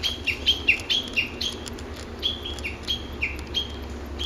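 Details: Japanese bush warbler singing in woodland at an ecology park on 06/12: a fast run of short whistled notes, each stepping down from high to lower pitch, repeated about five times a second, with a low steady hum beneath.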